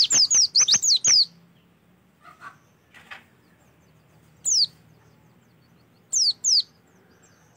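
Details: Oriental white-eye song played as a lure to get birds singing: a quick burst of high, sharply down-slurred whistled notes, then quiet with a few faint sounds, and two short bursts near the end.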